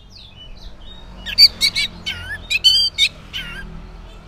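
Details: Morning song of an orange-headed thrush, used to prompt silent males: soft whistled notes, then a fast jumble of harsh, twisting high phrases, some dropping low at the end.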